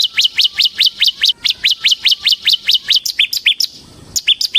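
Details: Bar-winged prinia, semi-crystal type kept as a lure and tutor for cage birds: long fast series of sharp rising chirps about four per second, then shorter lower notes after a brief pause.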